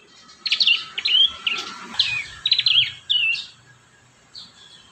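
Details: Prinia song meant to teach juvenile prinias: a string of separate high, sharp chirps and short slurred notes, about two per second, fading out near the end.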